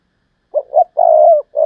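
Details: Decoy spotted dove in thúc lợi cốt calling: two short coos, then a long sustained low coo, and another phrase begins at once. No other sounds are heard.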